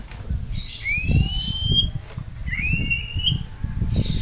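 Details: White-rumped shama song kept at home and used as master song for training other birds: two long, clear whistled notes, each sliding upward, separated by a short pause, over low rumbling background noise.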